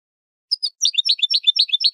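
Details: Cage-bird training recording of a Spanish goldfinch: a few scattered high notes, then a fast, even series of sharp, bright chirps, repeated rapidly and carrying on until the end.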